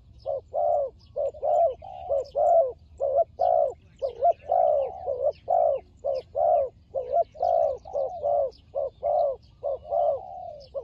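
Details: Cambodian turtle dove in fighting mood, recorded where birds are trapped; repeated throaty coos come in quick clusters, some notes drawn out and falling, while faint high twitters of other birds sound behind.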